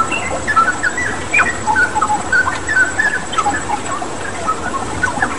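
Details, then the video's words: Straw-headed bulbul singing vigorously, blended with water-therapy sound: scattered, ringing whistled notes and short falling slurs, some sharp clicks, over a constant watery background hiss. "Masteran Cucak Rawa Gacor dengan Terapi Air"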